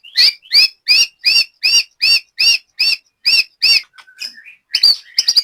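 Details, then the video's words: A white-rumped shama kept in Banyumas, Central Java, repeats one sharp, two-toned chirp about ten times, evenly and quickly, at a training session, then breaks into soft twitters and louder chips. "BURUNG LATBER MURAI BATU"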